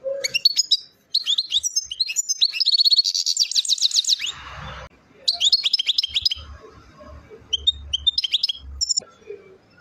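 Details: Goldfinch song from Chouala in Algeria's Relizane province: rapid twittering notes running into a dense buzzy trill, a short break, then more tinkling phrases, with faint low rumble behind.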